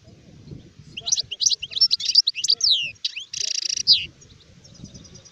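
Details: Adult goldfinch song recorded in 2019: a jumble of sweet, rising and falling twitters, a harsh nasal buzz lasting most of a second, then faint rapid ticking notes fading out at the end.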